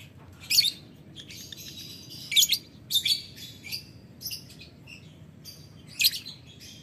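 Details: Lovebird calling out to a rival with ngetik ngekek sounds: sharp, harsh high chirp bursts, some single and some paired, spaced about a second apart, with a constant low hum behind.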